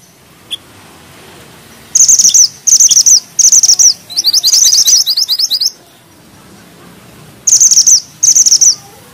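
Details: Grey bushchat in energetic song with dense rolling and sharp notes: three quick bursts of high, thin trilling, then a longer passage of sharp rising chirps, silence, and two more bursts at the end.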